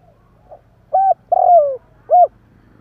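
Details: Spotted dove phrase aimed at stimulating caged decoy doves: a faint pickup note, a level short coo, a long falling coo and a brief arched closing coo, with a low steady hum beneath.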